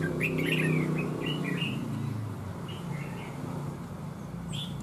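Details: A wild-caught red-whiskered bulbul kept at a house gives a few quick, bright warbled phrases, mostly in the first two seconds, over a steady low rumble of room noise and faint voices.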